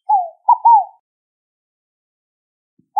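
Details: Scaled dove cooing a soft three-note phrase of low, slightly descending hoots, the first note apart, the last two closer together, then silence before the next phrase begins; clean recording with no other sounds.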